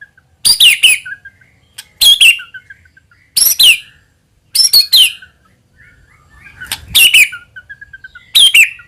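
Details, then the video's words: White-rumped shama song used as a lure sound meant to provoke other shamas into full singing: short, sharp, high chirped bursts with rapid downward notes, repeated roughly every one and a half seconds between quiet gaps. "AUTO NYAUT MURAIBATU APAPUN AKAN TERPANCING UNTUK BUNYI GACOR JIKA MENDENGARKAN SUARA PANCINGAN INI"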